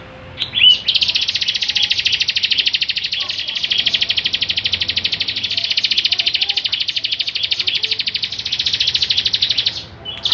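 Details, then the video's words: Bar-winged prinia in full voice, suited as a tutor for other songbirds, pours out a long unbroken rapid buzzy trill for about nine seconds, steady and finely pulsed. "Ciblek Gacor Cocok buat Masteran"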